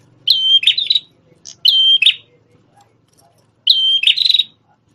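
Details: Prenjak tamu prinia with a red head, formerly a tutor bird for shamas, gives three phrases, each a high sustained whistle that breaks into a quick rattling chatter.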